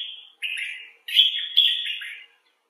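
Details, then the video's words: Common bulbul uttering three loud, rich phrases of slurred, modulated notes, the last two opening with sharp accented starts, separated by short pauses and fading to silence. "Bulbul Talk: The Common Bulbul (Pycnonotus barbatus)"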